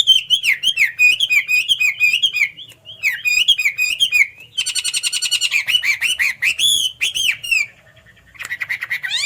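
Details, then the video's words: Hwamei singing a loud, rich run of whistled phrases, with rapid repeated notes, trills and sweeping slurs that change every second or two. "Pesona burung wambi/hwamei"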